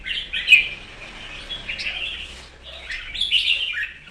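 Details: Red-whiskered bulbul giving morning and competition song: rapid warbling, chirping phrases that run on for about two and a half seconds, break briefly, then resume with a louder burst, over a soft low hum.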